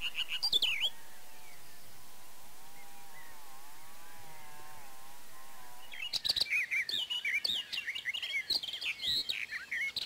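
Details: Barred warbler in the Zemplén area at Erdőhorváti near Tokaj, Hungary, recorded in early to mid May 2013 during the breeding season with a Canon EOS 7D. A few sharp chirps, a steady wavering low tone, then a dense burst of scratchy, rapid warbling notes.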